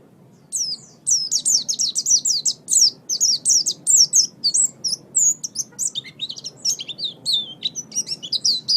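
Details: Lively pleci, the oriental white-eye, singing master song for caged birds: after a short quiet start, steady rapid high chirps run on, some notes dropping lower near the end.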